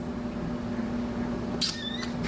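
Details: Male Blue-throated Macaw, trained to kiss on cue, mimics his owner's kiss with one sharp, smacking kiss sound trailing into a brief falling whistle, over a low indoor hum with the owner's voice nearby.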